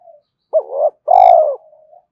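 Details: Spotted dove calling to draw in wild doves: a faint soft note, then one two-part phrase, a wavering hoot followed by a long, even, falling coo and quiet trailing murmurs.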